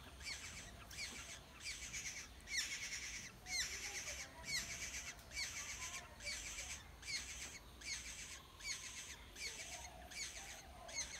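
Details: Wild Black-hooded oriole nestlings begging while parents feed them at the nest: a long series of hoarse, scratchy squawk bursts, about one each second, steady and insistent, with faint outdoor background noise.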